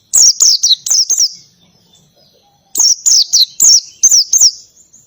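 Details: Ngalas song from an oriental white-eye with canary phrases, two volleys of about five quick, high whistles each sliding downward, separated by a second of near silence.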